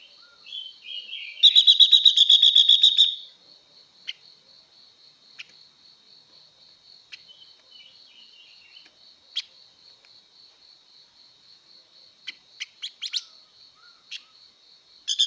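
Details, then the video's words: Female blue-winged leafbird singing to stir up males. A short rising note leads into a rapid buzzy trill of about a dozen notes. Scattered faint clicks follow over a steady high background whine. "Tiếng Chim Ngũ Sắc Mái Hót Siêu Kích Trống Nhanh Căng Lửa"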